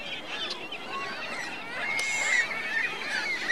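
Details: Short stretch of geese and goslings calling at Virginia Lake in Reno, with mixed honks and a long clear rising-and-falling whistle-like note near the middle among constant background chatter.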